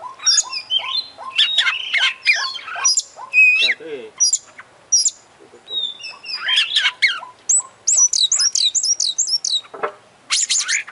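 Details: Oriental magpie-robin singing in full 'gacor' style with 'isian' fill phrases, opening its beak and spreading its tail: loud, varied run of high whistles, rapid rising and falling notes and harsher chattering phrases with brief pauses.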